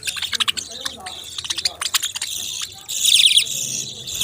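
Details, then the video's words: Budgies make a series of short clicking chirps, then a sustained, louder high warbling chatter toward the end. "Beautiful Chirping Sounds relaxing Voice"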